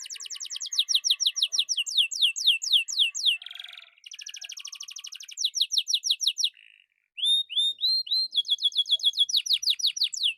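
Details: Energetic Atlantic canary song, with long rolling trills of high, sharply sweeping notes, a scratchy buzzing rattle, a quick burst of trills, a short low buzz and pause, then bright, ringing upslurred whistles.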